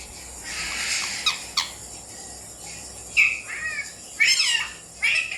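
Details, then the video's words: Alexandrine parakeet learning to talk: a hoarse, rasping start, then clearer short bent syllables, rising and falling, in three spaced bursts toward the end over a faint background hiss. "Parrot Learning and Talking #alexandrine"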